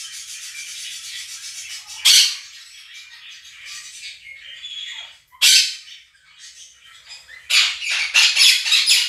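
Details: Two pet Quaker parrots calling indoors over a played recording of budgie chirping and singing: harsh broadband screeches burst out around two, five and a half and eight seconds above a steady bed of budgie chatter.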